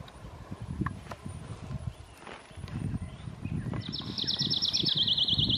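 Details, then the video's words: A pine warbler in Preble County, Ohio, on 1 April 2018 gives a fast, even, high trill near the end, over heavy low thumping like hoofbeats or footsteps. "Pine Warbler"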